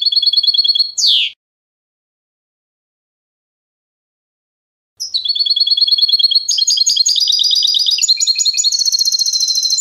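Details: Goldfinch singing: a sustained, bright, repeated note ending in a quick downward sweep, then silence, then a long, fast, jangling twitter of high, metallic, buzzing notes that continues to the end.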